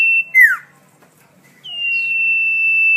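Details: Song of the common iora, called cipoh locally, offered for tutoring songbirds. A whistle cuts into a downward-sweeping slur. After a brief quiet spell, a clear, long, unwavering whistle rises in and holds.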